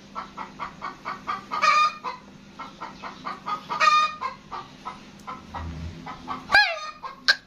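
Grey francolin giving a run of loud, harsh, rhythmic notes about three per second, building to shrill peaks, with a low hum underneath.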